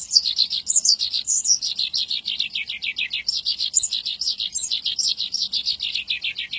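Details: Energetic Javan bush lark song used as training material for caged bush larks: fast, unbroken runs of sharp high notes, some descending, pouring out at a quick, uneven pace.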